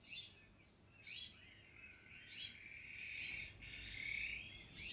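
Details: Iberian magpie, or azure-winged magpie, uttering harsh scratchy bursts at uneven intervals, with a sustained buzzy sound filling the gaps.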